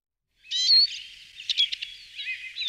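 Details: Eurasian siskin singing: a high, rapid twittering phrase of thin whistles and buzzy chirps, with a bright opening burst, then quicker clipped notes and a trailing warble, on a clean, quiet background.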